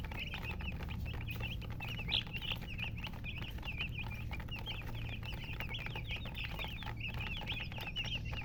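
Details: Colour chickens, chicks, chirping nonstop: a dense stream of short, high, up-and-down peeps from several birds overlapping throughout, over a steady low hum and scattered clicks and rustling.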